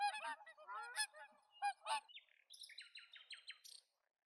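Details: Whooper swan giving a series of deep, harmonic honking calls over the first two seconds, followed by a quicker run of higher, descending whistled notes that fade out before the end.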